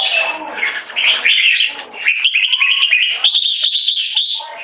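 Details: Red-whiskered bulbul singing 'one stroke' leading into 'keke': a jumble of mixed warbles, then a long run of fast, steady chirping whistles held at a high pitch.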